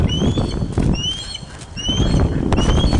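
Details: Ospreys at a nest webcam on Loch of the Lowes, Scotland, 31 August 2013 at 16:39, during a large fish delivery: several sharp, upslurred whistled chirps over steady low wind rumble.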